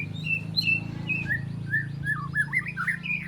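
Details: Young white-rumped shama, three months old and still spotted, learning sharp bursts and mimicked fill-ins: clear slurred whistles repeated about twice a second, ending in quicker down-swept and rising notes, with a constant low hum beneath.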